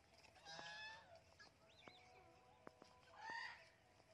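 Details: A blue and gold macaw kept as a talking pet, out in a garden, gives two rasping calls about three seconds apart, with soft whistled notes and scattered ticks between them.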